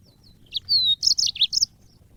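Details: Brief phrase from an African yellow-fronted canary in training audio for songbirds: a long, clear, gently falling whistle followed by a quick cluster of high, buzzy chirps.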